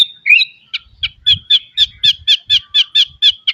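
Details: White-rumped shama song rich in varied phrases, used to train young birds to sing quickly: a rising whistled slur, then a fast series of about eleven short, clipped high notes, four per second, over faint low rumble.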